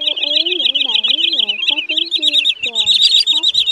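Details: Green sandpiper lure recording, used for night net-trapping of migrating birds in August 2023: rapid, high, sharp whistled chirps run continuously, several per second, over a man's low speaking voice.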